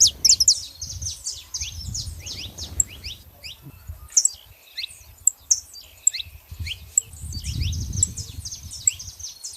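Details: Female and male saffron finches calling together, a dense scatter of high, sharp, descending chirps with a low rumbling background noise.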